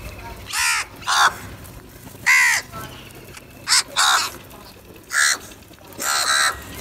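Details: Crows fighting and calling for food give a rapid series of harsh, raspy caws, about seven in under seven seconds, some doubled, with a faint background of voices.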